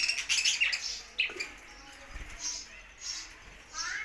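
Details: Budgerigar singing, a burst of rapid squeaky chirps and chatter, then quieter spaced squeaks and a rising whistled note at the close.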